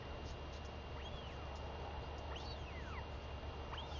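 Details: Young royal albatross begging its mother for lunch during a feeding on 23 May 2021; three curved whistles, each sweeping up then sliding down, spaced about a second apart against constant wind noise.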